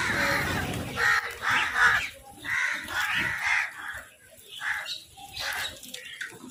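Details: Crows squabbling over food: harsh, raspy caws given in irregular overlapping bursts about once a second, louder at first and fading toward the end, with other bird chatter underneath.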